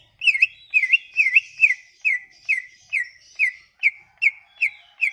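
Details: Sumatran leafbird song used as a lure to make other leafbirds sing: a steady run of clear whistled notes, each dipping then rising, repeated about twice a second, with faint higher trills layered over.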